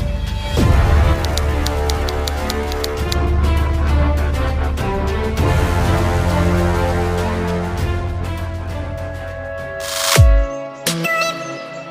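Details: Loud instrumental theme music with a steady beat throughout, ending in a sharp swell and brief cut-off, with no animal sound heard.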